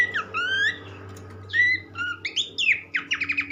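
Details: Horsfield's Babbler mixes long upslurred whistles with buzzy squeaky notes and a closing run of rapid clipped notes, against constant low humming background noise, in a recording meant to stir other babblers to sing.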